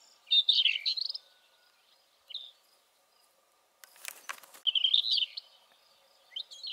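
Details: A rufous-tailed scrub robin (Cercotrichas galactotes) calls with short, warbled, mid-high phrases a few seconds apart, with a brief rustling noise between them.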